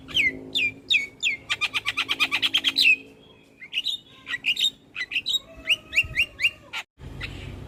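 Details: Lure recording of a Javan myna for coaxing non-singing mynas: a fast even string of bright repeated chirps, then a pause, then varied whistles and sharp clipped notes in irregular runs before it cuts off.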